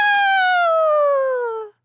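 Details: A single harsh, hoarse red-tailed hawk scream under two seconds, sliding steadily down in pitch before cutting off; this iconic scream is the one films often dub over bald eagles. Nothing else is heard.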